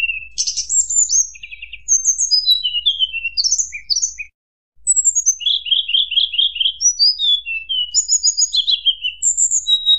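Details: Sunda blue robin giving a flute-like song said to provoke rival birds: high thin whistles sliding downward, interleaved with rapid buzzy trills, a brief pause near four seconds, then more descending whistled phrases and fast rattling notes.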